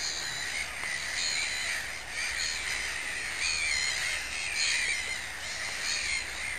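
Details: Mediterranean gull calling at Sophiapolder in the Netherlands: nasal call notes repeated roughly once a second, rising above a constant hiss of background noise.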